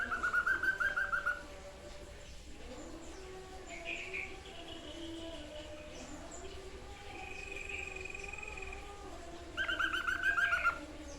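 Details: White-chested babbler, known locally as sniper bird, singing actively in a songbird training recording: short fluttering whistled trills at the start and end, with faint softer notes and background hiss between them.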